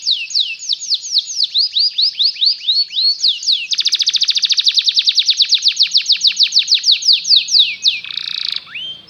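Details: Long Belgian canary singing for canaries learning song: a chain of falling whistles, then an extended rapid rolling trill, ending in a brief buzzy burst and a rising slur.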